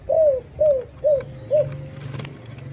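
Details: Spotted dove lure call for attracting other doves, from an active singing bird with a clear voice: four soft arched coos about half a second apart, then fading into a low steady background hum.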